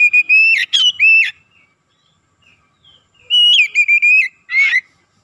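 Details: Lively Oriental magpie-robin song as a lure to excite other birds: two phrases of loud, sustained, level whistles broken by sharp rasping flicks, separated by about two seconds of near silence.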